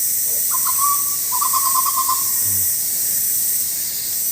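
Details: Loud, melodious song of a black-and-white hooded butcherbird, probably escaped, visiting a pigeon hide in Sulawesi forest, Indonesia. It gives a quick run of mid-pitched whistled notes, then a faster rippling trill of about ten notes, followed by quiet hiss.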